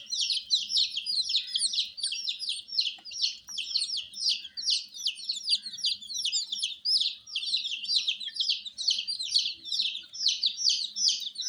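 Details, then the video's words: Group of colour-dyed chicken chicks kept under heat, producing an unbroken chorus of piercing, falling cheeps, many per second from several chicks at once, over a quiet low hum. "Witty MURGI Baby "Chicks Chirping" Sound"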